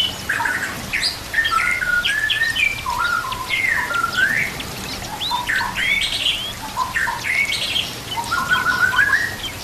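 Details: White-rumped shama singing as a training master for other shamas, with water and nature sounds: a rich, continuous medley of whistles, slurs and quick chirps, varied in pitch.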